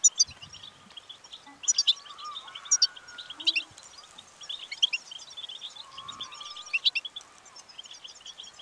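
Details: Goldfinch song meant to encourage singing: lively, jangling twitter of rapid high chirps and trills, with several louder clusters spaced through the passage and soft lower background sounds.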